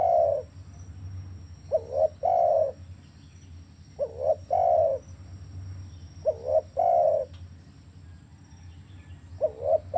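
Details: Spotted dove cooing, used to coax quiet caged doves into calling: five phrases, roughly every two seconds, each a quick paired coo and then a drawn-out level note, with low background hum.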